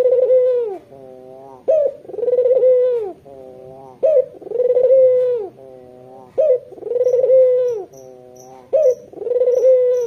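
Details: Red-eyed white Barbary dove used to lure local doves, cooing in a steady rhythm about every two seconds, with faint high chirps from another bird in the second half.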